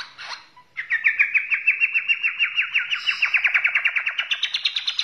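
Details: White-rumped shama from Borneo: after a brief opening note, a long fast trill of evenly repeated chips, slowly rising in pitch over about four seconds.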